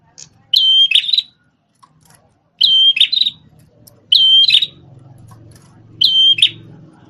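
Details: Prenjak tamu prinia with a red head, a former tutor bird for shamas, sings high level whistles broken by rattling buzzy tails. Four phrases come about every one and a half seconds over a faint background murmur.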